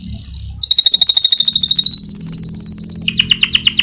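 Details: Fighter-type canary singing a rolling song suited for tutoring other canaries. A high sustained whistle opens, then a long, fast, even trill of bright notes runs on, ending in a slightly lower buzzy rattle. A faint low hum sits beneath.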